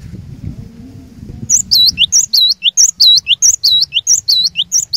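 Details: Cinereous tit, a lure bird singing vigorously to challenge rivals and provoke other tits into singing: after a quiet start with low rumble, rapid high whistled two-note phrases repeat steadily, about one and a half per second.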